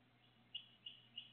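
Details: Two five-day-old bluebird nestlings in a nest in Decatur on 29 May 2021 give three brief, thin, high chirps about a third of a second apart over a steady low hum.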